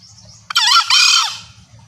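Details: Call of a female green junglefowl meant to summon males, said to bring a separated cock straight in: one brief harsh note followed by a drawn-out raspy, strained crow, with low background hum.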